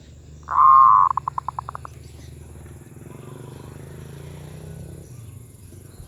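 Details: Medium-voiced zebra dove gives a brief held coo followed by a fast run of about eight short pulsed notes, then goes quiet while a steady low hum continues.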